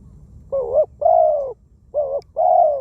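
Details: Decoy spotted dove from Thailand, a wild-caught bird with a small voice and many coos, gives four deep mellow coo notes in two pairs, each pair a short wavering note followed by a longer drawn-out one.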